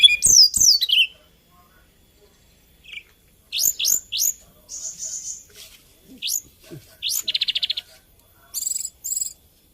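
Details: Hill blue flycatcher (tledekan gunung) of Kalimantan and Java: scattered high phrases of sweet slurred notes, chirps and a short buzzy trill, separated by brief pauses.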